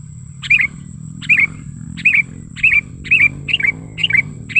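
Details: Sooty-headed bulbul lure call, natural recording used to attract and tutor birds: short bright chirping phrases of two or three quick notes, repeated about every 0.6 seconds, with a steady high insect-like hum and low rumble behind.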